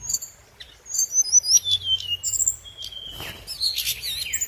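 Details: Scarlet minivet giving its lure song: sharp, high chirps and a quick string of downslurred whistles, then a long thin descending note and a burst of bright twittering near the end.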